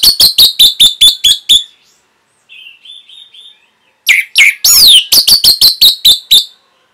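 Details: Caged-bird training song of an Orange-headed thrush. Two bursts of rapid, evenly spaced sharp notes are split by a brief soft warble. The second burst mixes in a loud rising-and-falling screechy sweep.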